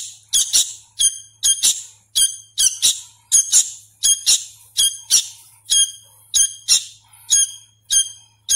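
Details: Persistent begging from a hand-fed sooty-headed bulbul chick: scratchy, buzzy squawks in quick pairs, repeated steadily about twice a second through the whole stretch, over a low hum.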